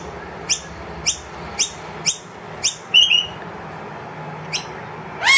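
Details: Wild noisy miner with two young indoors, loudly demanding food from an empty feeder. Spaced, high, upslurred chips sound about every half second, broken by a brief trill, with a louder arched note at the end.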